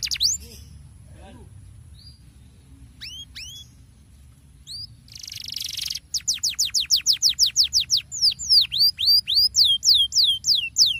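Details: Canary lure song to get other canaries singing: mostly quiet at first with a few scattered high notes and a brief hiss, then a loud regular series of downslurred notes, about four per second.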